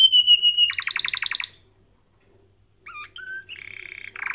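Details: Canary song for training canaries: a sustained whistled note, then a quick pulsing trill, a pause, then looping whistles, a flat tone and a buzzy rapid trill.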